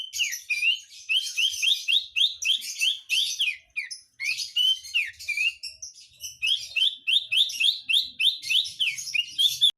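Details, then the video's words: Persistent song of a Javan bush lark recorded in Jombang, East Java, Indonesia, delivered low: quick series of high, rising chirped notes repeated several per second in bursts, broken by short pauses, with busier scratchy phrases between. "BRANJANGAN JAVA GACOR NGOTOT DI BAWAH"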